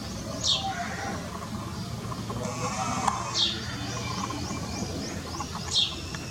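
A tailorbird gives three sharp, high, downslurred notes a few seconds apart, with fainter quick chips between them over a low rumbling background.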